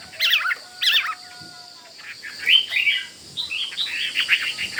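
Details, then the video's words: Caged Chinese hwamei, a fighting bird agitated near a rival and pecking its cage; two loud, rich whistled phrases open, followed by shorter, higher chirping notes over faint background hiss. "Họa Mi Mộc Máu Chiến Cứ Gần Là Mổ Lồng"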